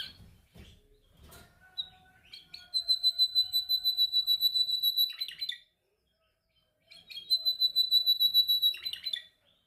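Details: Canary during song training, practising its singing: after a few soft scattered notes it pours out two long, very rapid, even pulsing trills on a high pitch, separated by a silent pause.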